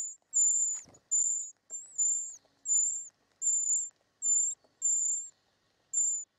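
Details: Young short-toed treecreepers calling for food in their nest as they are fed: a series of about eight short, very high, thin notes at roughly even spacing, with one sharp knock.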